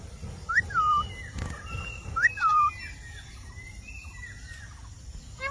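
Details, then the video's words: Rose-ringed parakeet giving two clear whistled phrases, each a quick upslur then a falling tail, about two seconds apart, with faint tonal notes and soft background hiss. "Indian Parrot Talking Natural Sounds"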